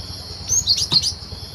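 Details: Cinereous tit singing in the wild, recorded as a lure for bird trapping: a short cluster of high, thin chirping notes packed into about half a second, over a steady shrill insect drone.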